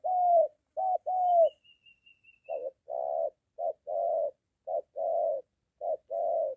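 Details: Spotted dove cooing near home during training of a moulting decoy meeting a wild dove; low paired coos pause briefly while a faint thin high whistle series sounds, then the coos resume.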